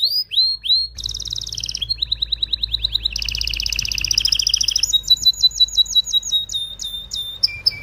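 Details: Agitated canary song meant to prepare male and female canaries for mating, with a few arched notes followed by rapid trills that shift between pitches and a closing series of sharp, clipped repeated notes.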